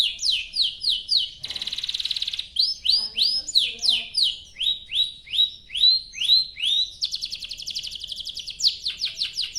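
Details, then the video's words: Canary in long continuous song meant to draw other canaries into singing, delivering chains of rising whistled notes about three per second, broken by fast buzzy trills. "Kicau Suara Burung Kenari Gacor Panjang cuit cuit Ngerol untuk Pancingan Kenari"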